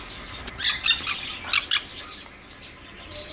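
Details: A red-factor Jenday conure in a threatening posture, threatening its owner as an intruder, gives short, harsh squawks in two bursts with scratchy noises between them and a faint background hiss.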